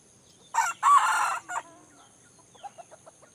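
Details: Junglefowl from Aceh, Indrapuri, gives a loud, harsh crow in three broadband bursts: a short opening note, a long rough middle phrase, then a brief end note. Softer rapid pulsed notes follow, and faint forest birds sound behind.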